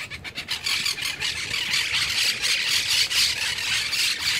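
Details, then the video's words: Monk parakeets squabbling over buds in an apricot tree canopy in Alta Gracia, Córdoba, Argentina, on 31 July 2021 in winter; hungry flock. Dense, continuous harsh squealing chatter with overlapping screeches. "loras 🐦🐦discutiendo 🗯"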